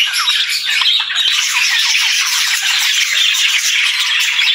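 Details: Budgerigars in chorus, chirping and singing in continuous scratchy twitters and squawks that blend into one busy, high-pitched chatter.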